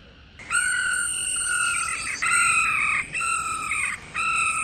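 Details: A female laughingthrush's 'ro' calling, used to provoke males to sing, begins after a half-second hush and runs as long rasping, nasal phrases separated by short gaps.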